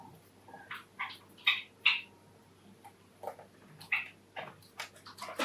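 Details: Courtship song of a male cherry Java sparrow kept indoors with four other pet Java sparrows: a loose run of short clicking and chirping notes, some bell-like, about two or three a second, with a faint steady hum behind.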